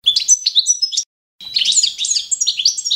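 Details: Balkan goldfinch, Carduelis carduelis balcanica, singing standard competition song for training: a dense, bubbling twitter of high, bright notes, a short break, then a fuller, faster run of liquid chirps.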